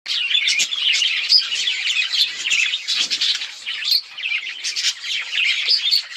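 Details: Budgerigars chirping in a dense, continuous chatter of high, quick twittering notes and short warbles, overlapping with no pauses.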